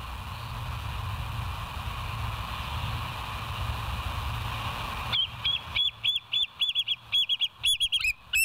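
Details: Live nest cam of the West End bald eagles, 07/09/2023 at 06:24: after a hum-filled pause, a rapid run of high, staccato chirping notes, roughly a dozen in three seconds, giggling and uneven.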